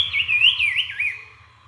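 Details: A brown-cheeked fulvetta, a babbler, gives a single quick, warbling whistled phrase, high and wavering, lasting about a second before fading.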